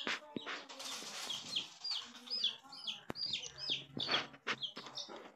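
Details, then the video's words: Coloured baby chicks give clear, high, downward-slurred peeps in quick irregular runs, with occasional soft rustling and a sharp click in the background. "Baby chicks"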